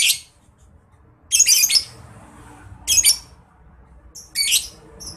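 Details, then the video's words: Lovebird in ngekek style, recorded as a training master for contest birds: a short shrill squawk, then two longer harsh, grating squawk bursts and a final rasping call over a low background hum. "PANCINGAN MASTERAN NGETIK LOVEBIRD NGEKEK GACOR"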